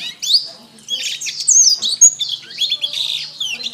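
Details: Canary song as a training master: energetic high twittering and slurred whistles in a near-continuous rolling warble, with a faint low hum underneath.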